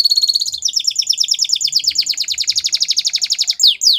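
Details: Young canaries' training song: an extended fast trill of repeated downslurred notes about ten per second, ending with two loud falling sweeps.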